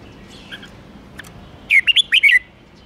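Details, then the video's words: Fast 'ché' song of a caged red-whiskered bulbul, used to stir other birds: after soft faint chirps, a single lively burst of five quick, rolling, whistled notes, bright and clear above a quiet hum. "Chào mào ché kích bổi nhanh ché/Chào mào kíc bổi ức chế ché ngay/kích chim căng lửa"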